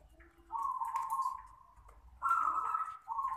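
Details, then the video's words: Local zebra dove with a small voice sings long, wavering mid-pitched cooing phrases, two sustained rolls about two seconds apart with a third beginning, over faint indoor background murmur. "perkutut Lokal suara kecil"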